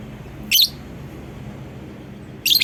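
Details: Lovebird lure call to draw other lovebirds into calling: two short, harsh, high chirp bursts two seconds apart over a low background hum.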